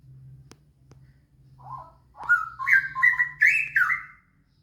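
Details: Song of a straw-headed bulbul, used to prompt other bulbuls into song, opens with a soft low warble, then surges into a rising run of rich, rolling whistled notes before stopping abruptly; faint low hum throughout.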